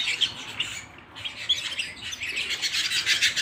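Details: Pet canary singing at home, starting with scattered sharp chirps, then a short quiet gap, then building into a fast, bright trill.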